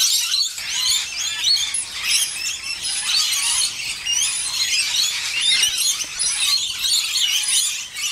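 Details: Bathing and feeding rainbow lorikeets chatter noisily, with sharp sliding chirps and whistled notes popping out of a constant high screeching background.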